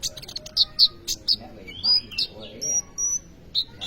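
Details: Kolibri ninja sunbird in full song, a recording meant for tutoring young birds: piercing high chips and brief thin whistles, some slurred upward, delivered in a rapid uneven series over faint background murmur.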